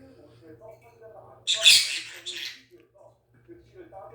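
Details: Pet talking conure trying to say "ice cream please" in Korean, though not very alike: one harsh, raspy burst of about a second, with quiet human voices murmuring before and after.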